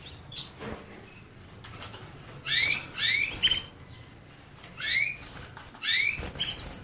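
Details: Canary uttering quick rising chirps, first a pair in close succession, then single notes about a second apart, with a short flat whistle between and soft background clicks.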